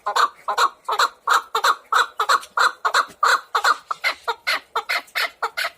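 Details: Chukar partridge giving a steady run of clucking chuck notes, roughly three a second, hoarse and slightly ringing, speeding up and growing thinner toward the end, with no other voices.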